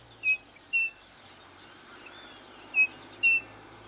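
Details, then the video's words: Two-note whistled call of the striped cuckoo (saci) given twice, each a short pure note followed by a slightly higher longer one, against a continuous shrill insect chorus. "saci (Tapera naevia)"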